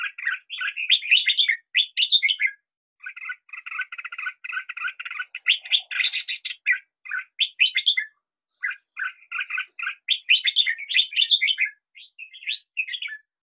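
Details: A red-whiskered bulbul in the hills sings a lively run of bubbly, chattering phrases mixed with short whistled notes, in quick irregular bursts with brief pauses between.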